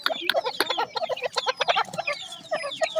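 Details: Grey francolin chicks calling, a dense chorus of rapid high cheeping and squeaky notes overlapping continuously.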